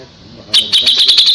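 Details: Sharp high notes from a singing kapas tembak, used as tutor song for white-rumped shama, begin abruptly after half a second of quiet and repeat quickly and evenly.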